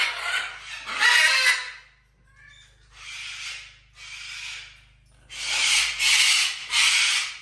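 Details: Parrots kept in a house alongside other exotic animals and a dog, one flying while another screams: harsh, raspy, broadband screeching in several loud bursts, with short quieter squawks between them.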